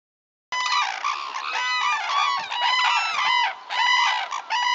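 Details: Red-crowned cranes at Tsurui, Hokkaido, Japan: after a brief silence, loud, ringing, bugling trumpet calls with many overtones pour out continuously, several birds overlapping in quick, uneven notes.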